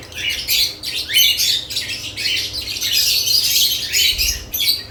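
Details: Dense lovebird chatter near added nest boxes, a near-continuous tangle of high squeaks and short rising chirps from several birds at once.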